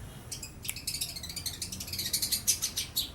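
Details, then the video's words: A young long-tailed shrike, newly moulted from spotted plumage, gives lovebird and house sparrow mimicry as a fast, scratchy high chatter, around two notes per second and growing louder toward the end. "Pentet muda prospek isian Lovebird, suara burung greja"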